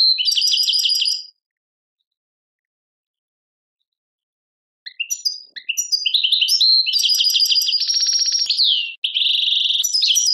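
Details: European goldfinch in Algeria performing 'tadmait' song: a short burst of twittering, a long silence, then scattered chirps building into extended, varied chattering with a buzzy trill and a sustained, nasal, wavering note.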